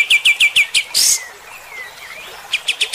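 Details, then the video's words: Bulbul in full song in the rough, rapid 'tembakan kasar' shooting style, meant to provoke fighter-type birds: fast bright chips repeated about four per second, a harsh burst, a pause with faint slurred whistles, then the chips resume. "AUDIO KAPAS TEMBAK GACOR MBESET TEMBAKAN KASAR. BIKIN EMOSI BURUNG TIPE FIGTER"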